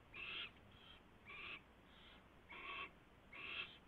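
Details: Owl at a nest before dawn, 4:21 AM on 24 February 2016, with a mouse delivered and fed; four loud wheezy screeches with quieter ones between, spaced about a second apart.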